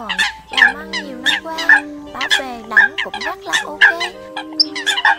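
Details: Lure recording of Eurasian coots for bird catching: loud, abrupt nasal honks burst out roughly once per second from several birds at once, over continuous droning tones.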